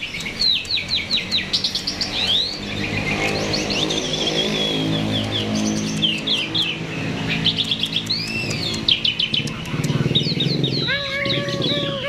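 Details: Active singing myna, used as a lure to make other birds sing: fast varied chirps, upswept whistles and buzzy notes, ending in repeated harmonic wavering calls, over a steady low engine-like drone.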